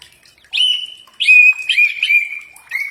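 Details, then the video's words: Common iora training song for prompting replies: three or four sustained, steady whistles, each opening with a sharp upward flick, separated by short gaps, with faint soft twitters in the background. "Mastran burung cak ijo pasti nyaut"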